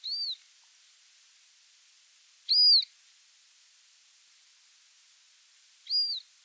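Montagu's harrier giving three thin, high, arched whistles, each rising then falling, spaced a few seconds apart over a quiet background.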